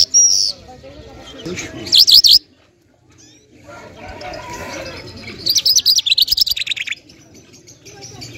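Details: Lark song, locally lunda jal or Afghani jal, Mashadi type, from Parachinar: short bursts of fast warbled zigzag notes separated by quiet gaps, with a soft low rumble between phrases.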